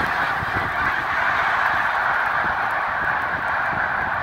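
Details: Thousands of snow geese in a winter flock at Green Lane Park, Montgomery County, Pennsylvania, USA, recorded February 23, 2019: a dense, continuous roar of overlapping nasal honks and yelps with no gaps.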